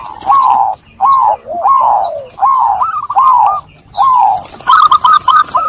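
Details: Zebra dove giving a continuous run of mellow coos, each note bending up then sliding down, about seven in a row, ending in quicker staccato notes; used as therapy to get trap-stressed doves singing again.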